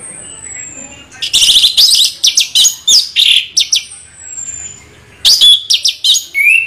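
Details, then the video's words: Orange-headed thrush giving a rolling song of dense, loud scratchy chirps and whistles in rapid bursts, separated by a long thin high whistle and a brief softer pause. "Anis merah ngeroll"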